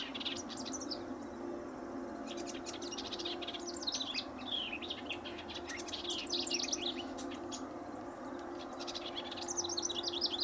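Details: Incessantly singing House Wren near a riparian area at Linscomb W.A., with a White-eyed Vireo vocalizing in the background; repeated bubbling, rattling bursts of high twittering notes and trills, separated by brief pauses, over low hum.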